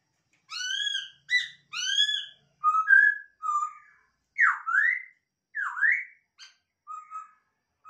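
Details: Captive-bred masked laughingthrush giving a rapid run of arched whistles, then steady notes and two deep V-shaped swooping whistles, ending with short level whistles; otherwise silent surroundings.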